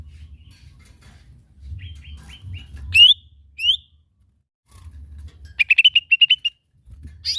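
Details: Lesser green leafbird (cucak ijo mini) giving a lure song meant to prompt other birds. Short, high, piping notes lead to two loud, sharp, rising notes, then a fast rhythmic string of about eight repeated chirps, with a low hum between.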